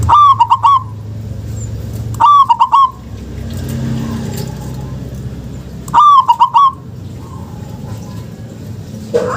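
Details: Local zebra dove recording meant to coax silent doves to call: three short phrases of fast, rippling coos spaced several seconds apart, with faint low background hum between them.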